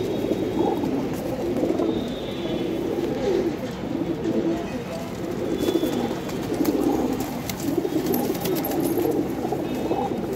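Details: Several pigeons at a loft in Gujarat, India, cooing in low, throaty bursts that swell and fade over steady noise, with brief faint voices nearby.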